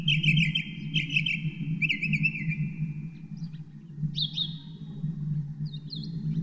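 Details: Northern mockingbird singing: a high whistled phrase repeated three times, then a slurred warbling phrase and sharp rising notes, over a steady low hum.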